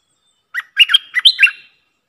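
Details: Streak-eared bulbul call from a trapping lure: a lively, bubbling run of about six quick notes that rise and fall, finishing in a slightly rising flourish.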